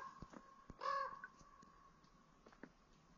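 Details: Canada jay, one of three wild birds looking for handouts at a campsite on Daniels Lake in the Boundary Waters (BWCA); a single short, harsh call with a steady tone near the one-second mark, set against faint clicks and low background noise.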